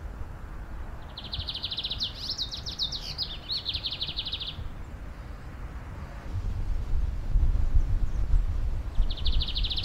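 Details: Bigodinho, the lined seedeater, singing in the wild in Brazil in its machine-gun 'metralhando' manner: a dense, rapid rattle of high repeated notes lasting about three and a half seconds, resuming near the end. A soft low background rumble is present.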